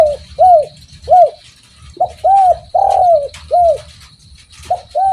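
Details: Spotted dove (derkuku) calling in full voice: a run of about eight mellow arched coos in uneven groups, each rising and falling. Faint steady high tone and low hum behind.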